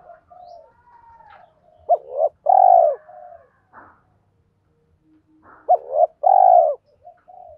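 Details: Spotted dove lure cooing meant to provoke wild males into answering: two bursts of short coos each closing in a loud drawn-out falling coo, with softer fainter cooing of other doves in between.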